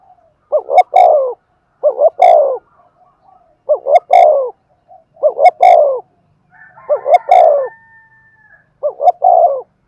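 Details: Spotted dove decoy singing Thúc Gù, meant to bring wild doves in. Six rhythmic coo phrases, each paired short notes then a longer falling note, with sharp clicks and a thin whistle in the background.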